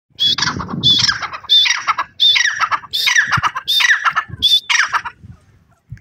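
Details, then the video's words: Grey francolin, known locally as Gora Teetar, calling loudly: ringing, high-pitched phrases repeated about every 0.7 seconds, each opening with a sharp whistled note and sliding into a harsher, falling rattle; quiet background between phrases. "The Lovely Voice of the Francolin Bird,Gora Teetar Ki Awaz"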